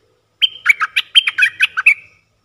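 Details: Red-eyed bulbul, a wild bird answering a caged decoy. A loud, fast chattering phrase of about ten bubbly notes runs for nearly two seconds in quiet surroundings.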